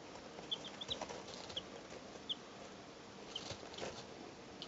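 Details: Faint, brief high cheeps from three two-day-old chickens recorded in 2012, about five spread unevenly over a few seconds against a steady background hiss and light rustling.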